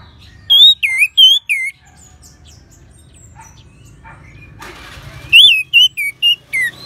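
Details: Orange-headed thrush, recorded as a training sound to prompt other birds to sing: a few ringing, down-slurred whistles, soft twitters, a brief burst of noise, then another series of bright, looping whistles.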